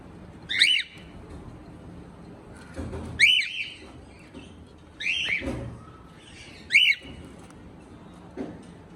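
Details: Cockatiel calling loudly with bright, harmonic, rising whistled chirps, four strong ones spaced roughly two seconds apart, plus a softer late call and a few low thumps.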